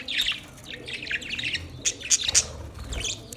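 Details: Pet budgerigars chirping: a busy run of short, scratchy chirps and warbles concentrated high in pitch, with a few sharper squeaks near the middle and a faint low rumble beneath.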